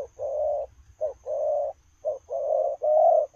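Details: A running spotted dove gives drawn-out low coos, each long rolling note preceded by a short clipped one, almost continuous across the stretch.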